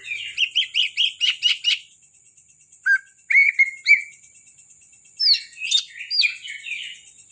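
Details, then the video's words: Greater green leafbird from Kalimantan, a caged bird, giving a fast series of repeated short whistles, then a few sliding notes and looping upslurred phrases, with a constant high tone behind. "Burung cucak ijo kalimantan dak kalah sama cucak ijo Banyuwangi"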